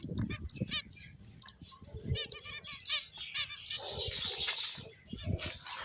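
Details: Several finches chirp busily with short, bright high notes and trilled runs, closing in a denser burst of chatter amid light low thuds.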